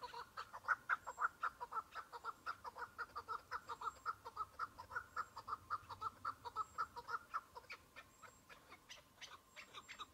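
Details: One chukar partridge in spring, patchy snow, at the start of the hunting season: a long rhythmic series of sharp chuck notes about two per second, swelling then easing off, with fainter distant notes after.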